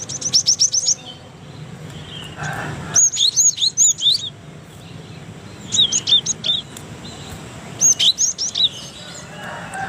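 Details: Cinereous tit from Indonesia, recorded as a master song for training other birds: bursts of sharp, high chirps and quick whistled upslurs in rapid runs, separated by short pauses, over a low steady background hum.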